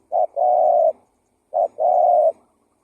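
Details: Spotted dove lure call from an actively calling bird: two phrases, each a short clipped coo followed by a long, steady, mellow coo, with a pause between phrases and no other sounds.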